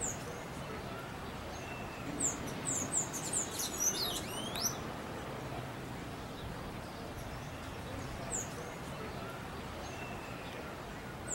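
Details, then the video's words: Burnished-buff Tanager recorded live, giving thin, very high, sibilant notes: a quick cluster of several, then single notes spaced seconds apart, over a steady hiss. "SANHAÇO CABOCLO X SANHAÇO AZUL - Qual é o canto mais bonito?"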